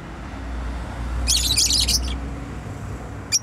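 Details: Domestic pet bird produces a short burst of dense, high twittering lasting under a second, with a low rumble of traffic or machinery underneath and one faint chirp near the end.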